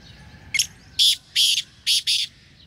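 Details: A pure-bred trained black francolin, kept as a hunting bird with a hunting call, gives a short harsh note followed by four loud, grating, rasping bursts.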